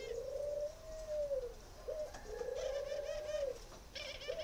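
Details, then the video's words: Spotted dove from a breeding farm in Ba Vi, northern Vietnam, giving long, smooth, low coos held at an even pitch, each swelling and fading with short gaps between them. Faint higher chirps from other birds are heard in the background. "chim cu gáy hay miền bắc"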